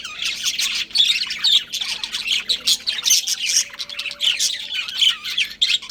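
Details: Pet budgies, a breeding pair, keep up a lively stream of twittering and grating squawks, loud pulses every second or so, over a soft background hum.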